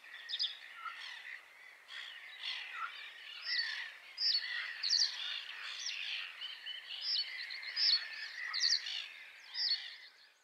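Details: Common reed bunting (Emberiza schoeniclus) gives high, thin chirps and short clipped notes about once a second, over a busy background of other small birds twittering.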